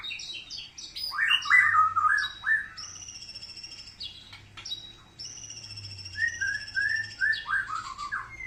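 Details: Melodious white-rumped shama song: rapid tumbling whistled notes alternating with long, thin, high sustained whistles, phrases following each other closely.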